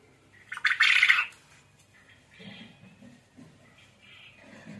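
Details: Quail, said to be calling actively (gacor), gives a single loud, harsh scratchy burst near the start, followed by softer low chattering and faint rasping notes.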